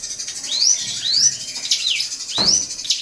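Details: Drongo singing at a rival: a few slow rising whistles, a falling-rising slur, then another high upward whistle, with a soft thump and faint hum in the background.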